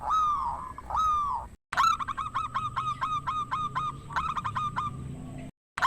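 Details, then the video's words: Loud local zebra dove, used as a lure to spur silent rivals to sing: two drawn, arching coos, then a quick train of short ringing notes after a break. "Perkutut GACOR ampuh buat pancingan perkutut macet , Perkutut MANGGUNG"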